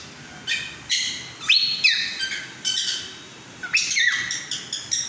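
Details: Cockatiel mating-call song with clear whistled notes, including a sliding whistle that rises then drops, mixed with rapid chirps in short bursts.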